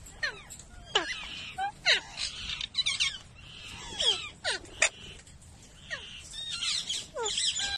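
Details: Alexandrine parakeets during mating give harsh, grating screeches and quick downward-sweeping squawks in irregular bursts, several calls overlapping.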